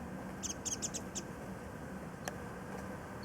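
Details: A warbling white-eye at early-flowering cherry blossoms, Kitago Station, Nichinan, Miyazaki, Japan, calling while feeding on nectar; five quick high chips in under a second, then near silence with one faint click.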